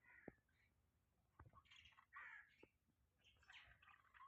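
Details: Pet budgerigars in the morning, with soft, scattered chirps and brief warbled notes, quiet against a steady hiss, plus a few low knocks.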